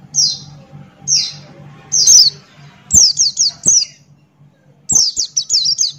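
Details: Open-beaked 'ngalas' singing by a Buxton's white-eye: separate bright falling whistles that build into quick runs of three or four sharp downslurred notes, over a constant low hum.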